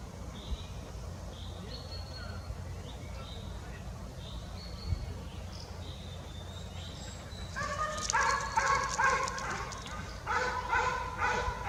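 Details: Young jay out of the nest in a forest: after a quiet stretch with faint thin whistles from other birds, a run of loud, harsh, nasal calls repeats rapidly over the last four seconds.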